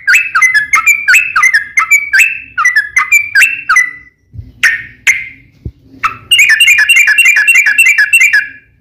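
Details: Sooty-headed bulbul fighting song, used to provoke other bulbuls into answering: a series of quick bubbly whistled notes falling in pitch, a few isolated harsh calls, then a rapid buzzy trill to the end.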